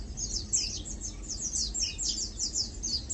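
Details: Lowland white-eyes (Zosterops meyeni), locally Matang Dulong, chilling, feeding and preening: a steady stream of thin, high, overlapping twitters and chirps from several birds, with a low background rumble.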